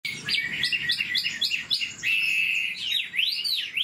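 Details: Old wild-caught Chinese hwamei, a kept cage bird described as about 90 percent tame with a very fine voice and fast delivery. It sings rapidly repeated short rising whistles, then longer swooping, looping phrases at a strong level.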